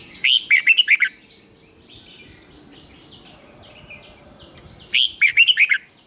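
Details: Red-whiskered bulbul prepared for singing contests utters two loud, rapid warbled phrases of bouncing notes about four seconds apart, with soft chattering of other birds in between.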